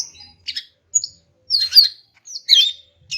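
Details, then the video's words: Female greater green leafbird calling to males, used to prompt silent males to sing: short separate bursts of high chirping notes, a clear whistle near the start and two longer warbled phrases, with quiet gaps between. "BURUNG CUCAK IJO JANTAN MACET BAKAL NYAUT GACOR DENGAR INI"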